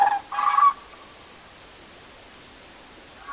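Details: Common cranes at a night gathering give two loud, rolling trumpeted notes, the second higher and longer, then quiet with only faint background hiss.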